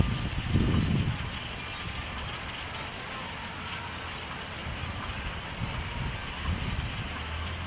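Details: Steady broadband vehicle rumble with a brief louder low burst near the start; no animal sounds are heard.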